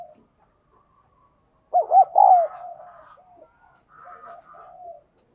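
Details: Lure spotted dove giving a loud burst of looping, throaty coo notes, then a softer, trailing series of quieter murmured coos before falling silent.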